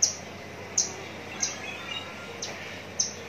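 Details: Javan bush lark, contest-ready bird from Citra Raya, giving short, piercing high pips spaced well apart against a soft hiss.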